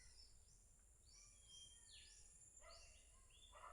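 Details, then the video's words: Birds singing: a series of thin whistles, some rising and some falling, with short slurred phrases. A steady high-pitched hum and low background rumble run throughout. "It's so beautiful to hear the sound of birds."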